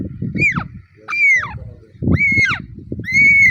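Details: Green ringneck parakeets give four loud, harsh screeching calls in about three and a half seconds. Each rises sharply, then arches and falls, over a low rumbling background.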